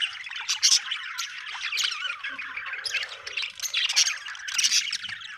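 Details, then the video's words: Budgerigar chattering happily: a busy, scratchy mix of warbles, squeaks and quick chips, with a few louder harsh bursts near the start and toward the end. "happy budgie chirping sound"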